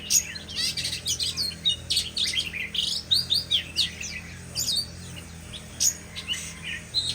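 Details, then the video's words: Shama pouring out a rich, varied song: rapid whistles, sweeping slurred notes and chirps tumbling one after another for several seconds, high and bright, with a faint low hum beneath. "Beautiful Shama Bird"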